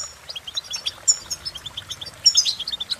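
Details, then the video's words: Goldfinch song, a quick run of bright, sharp twittering notes, mostly very high, given at a fast, uneven pace with a few louder trills near the end. "innovative Ways To impress The Goldfinch With Bird Melodies"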